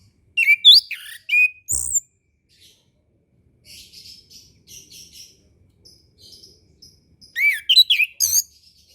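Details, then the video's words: Orange-headed thrush tutor recording for young birds learning song: rapid phrases of swooping, looping whistles at start and end, separated by faint, scratchy high chatter in the gap. "MASTERAN SUARA ANIS KEMBANG KHUSUS UNTUK ANIS KEMBANG BARU BELAJAR BUNYI"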